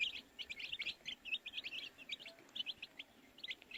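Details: Many baby chicks chirp together, short sharp high peeps tumbling over one another in quick irregular bursts with barely a pause.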